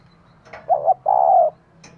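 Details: A single phrase from a female spotted dove calling to excite a male: a wavering two-note coo followed by a long even coo, with faint clicks before and after.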